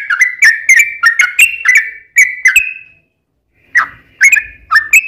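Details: Yellow-vented bulbul, a lively lure bird to prompt other bulbuls to answer, singing quick clicking whistled notes, pausing about a second, then resuming with a few more rising whistles.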